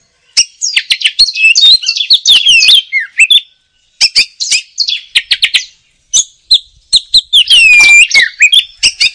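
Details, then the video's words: Oriental magpie-robin in dense, rapid song: harsh chattering notes and crisp clicks tumble together, broken by short pauses, with a strong downward-sliding whistle near the end. "Suara Kicau Burung Kacer - Ngoceh Gacor"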